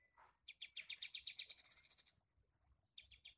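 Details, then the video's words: Sooty-headed bulbul with a torn beak, kept as a tutor bird for songbirds, singing in the rapid shooting style: after a short low note, a fast run of sharp, high chattering notes that swells louder, stops, then briefly resumes. "KAPAS TEMBAK PARUH SOBEK"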